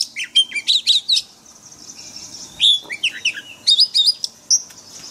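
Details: Caged-bird training recording of white-rumped shama forest-voice song: fast trills and chips, then slurred descending whistles and a final sustained high note, loud and clear over a quiet background.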